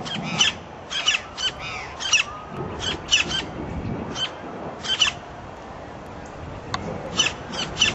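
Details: Campo flicker in Parque da Cidade, Brasília, Brazil, calling with loud, harsh, high notes repeated in quick irregular bursts, roughly one or two a second, over a low background hum.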